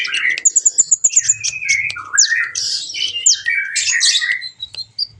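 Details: Kolibri ninja sunbird song used as a training recording for other birds: a fast run of high thin repeated notes, then sweeping slurred whistles and buzzy chatter in a busy, varied phrase, with faint low background hum.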